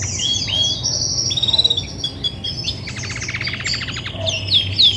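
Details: Female Belgian canary, grey and white, singing heavily when ready to brood; bright high warbling, then a dry rapid buzzy trill, closing with piercing high slurred whistles.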